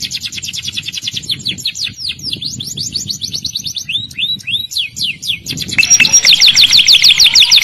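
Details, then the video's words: Morning canary song played to get silent canaries singing: rhythmic series of sharp descending chip notes, roughly three per second, shifting into slurred whistles, then a louder, denser rapid trill with a thin high whistle at the start. "Terapi burung kenari pagi hari. kenari macet langsung gacor"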